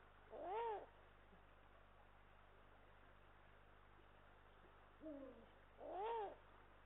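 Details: Male and female Eurasian eagle-owls at a camera-watched nest in Estonia, 18 March 2022: two loud, arching, rising-then-falling harmonic calls about five seconds apart, with a quieter falling call just before the second, over a constant electrical hum.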